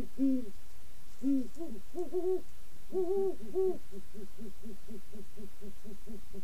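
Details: Two great horned owls hooting together: slow, deep paired hoots at first, then a fast, even series of shorter, quieter hoots running steadily to the end.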